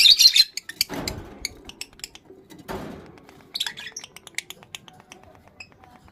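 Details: Excited male lovebird in breeding condition giving a brief shrill chattering burst, then scattered sharp high chips, with two rustling or thumping noises breaking in.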